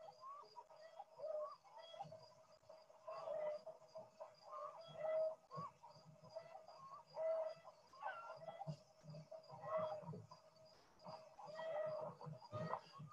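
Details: Backyard chickens give the alarm they make on seeing a great horned owl, usually above: a run of harsh, nasal clucking bursts about every two seconds, audible from a long distance, over quiet background.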